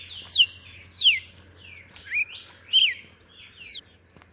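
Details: Red-cowled cardinal (Paroaria dominicana) singing clear, high whistled phrases, six short slurred notes about every 0.7 seconds, some falling and some rising, with a faint low hum behind; Brazilian bird whose song is heard at dawn.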